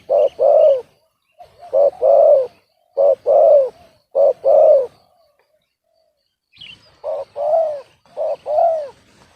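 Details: Spotted dove, a young bird said to have a discordant voice rather than a big one, uttering paired hoarse coo notes in clipped phrases, with a longer silent gap before the final phrases.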